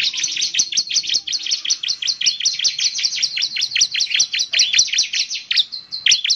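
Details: A steady stream of shrill, clipped chirps from a Bar-winged prinia (ciblek semi), delivered rapidly and without a break across the whole stretch, all very high in pitch.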